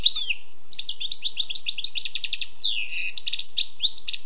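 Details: Song of a wild European goldfinch, an unbroken tinkling stream of quick chirps, trills and downslurred whistles, with a rapid buzzy rattle in the middle, set in a quiet background.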